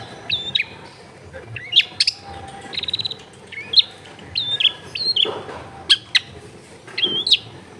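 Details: Long-tailed shrike recorded in a busy residential area, used to coax a bird that rarely sings: sharp high whistles, short sliding phrases and a brief buzzy trill, delivered in spaced bursts over faint background noise.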